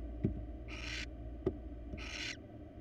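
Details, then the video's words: Wild barn owl pair cuddling and resting together in a monitored nest box; two harsh, breathy hisses, each about a third of a second long, with a few soft knocks and rustles in between. "Barn owl pair have a cuddle and get some rest"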